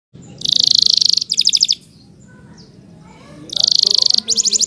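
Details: Canary in full song: a loud, very high buzzy trill lasting about a second, then a fast pulsed rattle, a pause with faint murmuring, then the same trill and rattle again.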